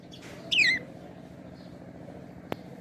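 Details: Budgerigar playing on a swing utters one loud, squeaky call that drops quickly in pitch after a faint buzzy note, then a single sharp click, with a low hum throughout.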